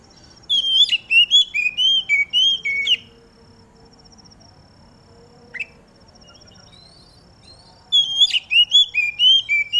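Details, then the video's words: Oriental magpie-robin (kacer) outdoors in morning dew, its singing meant to draw other magpie-robins into song: two bursts of rapid, sweet whistles, each about two seconds of quick up-and-down notes, separated by a long quiet pause with one sharp chip. "Burung Kacer Mana Yang Gak Bakal Ikut Gacor Ketika Dengar Suara Kacer Di Embun ini !!!"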